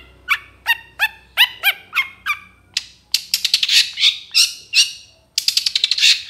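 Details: Long-tailed shrike singing a mimicry-packed song used to train other birds: about eight harsh, evenly spaced downslurred calls roughly every 0.3 seconds, then fast scratchy chattering and twittering phrases.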